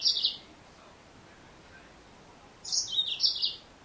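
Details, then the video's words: Female yellow-fronted canary calling: after a clipped chirp at the start, a burst of high, sharp chirps falls in pitch in quick pairs and lasts about one second over a quiet, faintly hissing background. "Mendengarkan suara burung Mozambik Betina"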